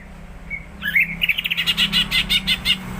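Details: Caged greater green leafbird, starting to sing more often, gives a fast series of bright chattering notes around two to four kilohertz after a brief thin whistle, over a steady low hum.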